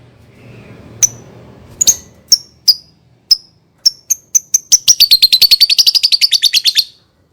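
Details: Lovebird song used as a lure for young birds: isolated sharp ticks that speed up into a dense, fast rattling chatter, then stop; faint low hum at the start.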